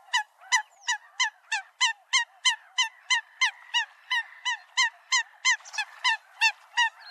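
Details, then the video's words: Eurasian coot calls played as a lure for trapping birds at night: a steady series of short, nasal, honking notes repeated about three times per second, with clean harmonic bands and nothing else audible. "Tiếng sâm cầm chuẩn"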